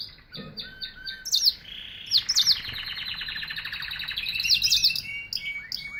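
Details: Singing canary: a few soft chips leading into sharp upswept notes, then a long rapid rattling trill with high chips layered over it, fading into descending whistles.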